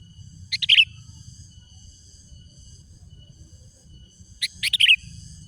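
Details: Sooty-headed bulbul song used to lure wild birds: two bursts of crisp clicking notes ending in a bright slurred whistle, separated by about four seconds, over a low rumbling background.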